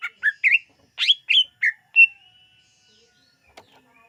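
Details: Greater green leafbird used for luring: clear, well-spaced whistled and chirped notes, about eight in two seconds, ending on a held level whistle, then near silence.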